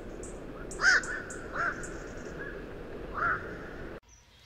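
Three harsh, croaking 'quok' barks from a black-crowned night heron, spaced irregularly over a few seconds, over a steady background hiss.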